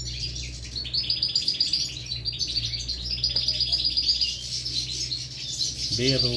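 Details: European goldfinch chicks being fed at the nest, three broods: fast repeated shrill chirps forming a busy twittering chorus, low hum throughout, and a man's voice at the end.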